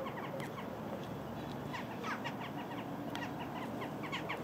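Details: Flock of western jackdaws in Embrun, France, 21 November 2019, 16:45: short, sharp 'tchack' calls, many birds overlapping in a lively chatter over steady background hum.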